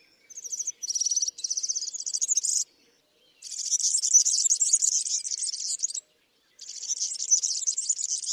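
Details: Male Atlantic canary song made of rapid rolling trills: short clipped rolls at first, then a long, loud, rattling high trill with brief pauses between sections. No other sounds are heard.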